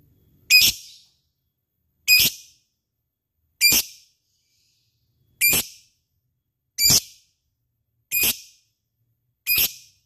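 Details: Lovebird ticking in the ngetik style: seven loud, identical, piercing high notes, one roughly every one and a half seconds, with silence between them.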